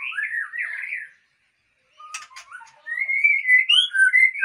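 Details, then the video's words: White-rumped shama (Murai Aceh) breeding stock: wavering whistled phrases, a pause of near silence, a few sharp clicks, then sustained rich whistles rising and falling. "Murai Aceh # Indukan Super"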